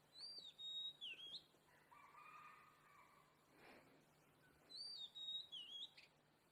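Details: Oriental magpie-robin (kacer) singing: two bright whistled phrases of looping, sliding notes, each about a second long and separated by a three-second pause. A faint low hum and a soft broadband rustle fill the gap.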